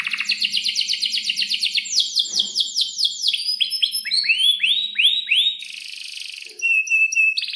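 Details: Long, varied Atlantic canary song from a bird in breeding condition: rapid rolling trills of upswept notes shift speed and pitch, with a brief buzzy rattle near the end and a high steady whistle.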